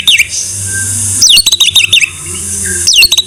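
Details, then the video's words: Tutor recording of white-rumped shama singing: sparse, loud whistled phrases with a downward-slurred opening and a quick chattering run of short notes, separated by pauses filled with a steady low electrical hum and hiss. "Masteran MURAI BATU No.1"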